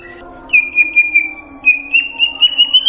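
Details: White-rumped shama lure song, used to prompt singing in the morning, midday and afternoon: a long steady high whistle that rises slightly, broken by short dipping flicks, after a brief opening note.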